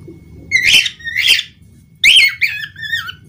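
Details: Budgerigar giving two harsh, buzzy squawks followed by a chattering burst that trails into bending whistled notes, over a low background rumble.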